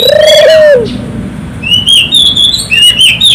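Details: Barbary dove in energetic gacor song, meant to prompt local doves to join in: one long, smooth, low coo falling away at its end, followed by high thin chirping from another bird.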